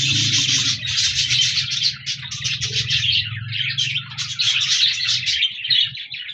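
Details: Budgies, colourful parakeets, recorded 14 January 2024, chattering continuously in a steady stream of bright, scratchy warbles and chirps over a low background hum.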